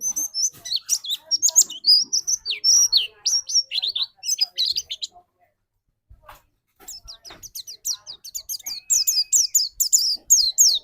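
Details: High, rapid twittering song of a lure white-eye meant to provoke another bird's singing, dense chirps and warbled whistles, a roughly two-second silence, then another energetic run with a brief steady tone.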